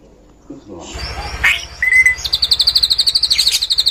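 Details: Drongo singing cililin-style phrases, meant for young birds to learn. A soft rustle is followed by a clear flat whistle, then a fast train of high buzzy pulses with a few sharp chips.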